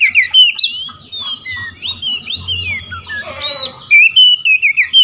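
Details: Oriental magpie-robin in open 'ngeplong' song, calling out to rival magpie-robins that reply. A continuous run of varied whistles, slurred up and down, with a brief lower warbled passage midway, then bright quick whistled notes resuming.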